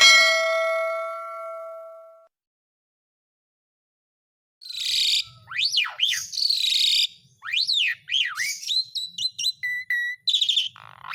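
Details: Asian pied starling song used as a lure to get silent caged birds singing again: a steady harmonic tone fades out, then after a pause comes a rush of rising and falling whistles, harsh buzzy bursts and squeaky notes.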